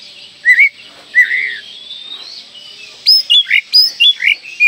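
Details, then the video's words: Oriental magpie-robin singing, used as a lure to prompt young birds to start singing: two slurred whistles early on, a quiet pause, then a quick series of short, sharp whistled and chirped notes. "PANCINGAN KACER MUDA AGAR CEPAT GACOR"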